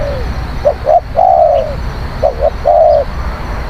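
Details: Spotted dove cooing, a recording for luring wild doves: low hollow coos in short phrases, a quick double note followed by a long drawn, slightly falling coo, repeated twice, over steady low background hum.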